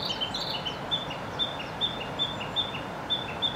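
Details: Male-style song of a Narcissus flycatcher perched on a tree, Gifu Prefecture, Japan, May 2024: bright high whistles alternating with short lower slurred notes, repeated steadily about every third of a second, with quiet ambient hiss beneath.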